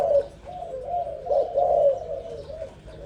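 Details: Newly fledged young zebra dove cooing: a run of soft, low, rolling coo notes rising and falling in short bursts, steady throughout, over a quiet background hum.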